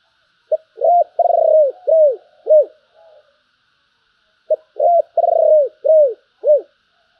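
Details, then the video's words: Thổ-style voice of a spotted dove: two matching phrases separated by a pause. Each runs from a short note and a hoot into a long vibrating coo, then two rounded, down-curving coos. The background is clean and quiet. "cu gáy giọng thổ, Bầu nghe rất hay"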